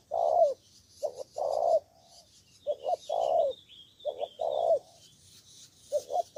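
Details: Cà Mau, Vietnam decoy spotted dove calling against rival wild doves: repeated low coo phrases, paired short notes then a longer rolling coo, with a faint thin whistle of another bird high above.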